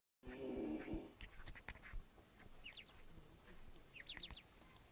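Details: Young partridge chicks peeping after a loud low rumbling thud at the start; scattered high, thin descending cheeps follow in small groups amid clicks and handling noise.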